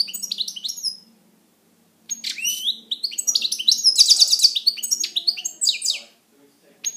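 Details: Pet European goldfinch in song at home, a rapid liquid twitter of high tinkling and buzzy notes, pausing after one second and then running on in a long dense phrase; a faint low hum underneath.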